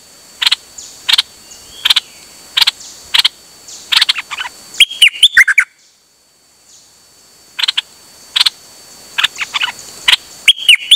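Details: On 8 September 2023 a songbird sings nonstop during a rare outing, giving evenly spaced sharp click notes, short whistled flourishes, a brief pause, then renewed clicks and chirps.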